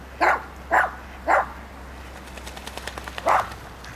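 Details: Canvasback recorded in March 2011 at Sechelt Marsh, Sechelt, BC: three rough, honking notes in quick succession, a pause with faint ticking, then a fourth call, with a low steady hum beneath.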